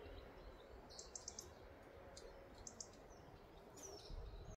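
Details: European robin (Erithacus rubecula) at Hauptmanca, Ljubljana Marsh, Slovenia, on 12 October 2024, giving faint, sharp ticking calls in quick little bursts, then a thin, high descending note, over a steady low rumble of distant noise.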